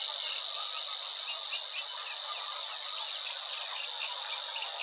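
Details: Savi's Warbler singing at Wetering West, Overijssel, 6–7 May 2022: an even, fast high-pitched reel continues unbroken, with quick short chirps from other birds repeated beneath it.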